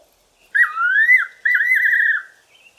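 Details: Evening song of a Fiery-necked nightjar perched in a garden tree, one clear phrase of a swooping whistle dipping low and rising, then a steady tremulous trill, loud against a still background.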